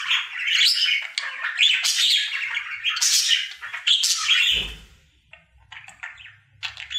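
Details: Pet male budgerigar in his daily singing: lively scratchy chatter and high squeaks for about four seconds, then a soft thump and quieter scattered chirps with low background hum.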